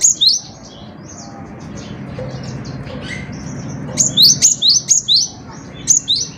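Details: Gelatik batu, the cinereous tit, sings a single high phrase, falls quiet for several seconds, then bursts into a fast run of five ringing two-note phrases and one final pair.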